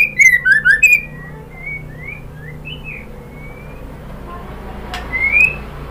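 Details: Female white-rumped shama calling a male: a quick series of loud falling and rising whistles at the start, softer drawn-out whistles after, then one rising whistle near the end.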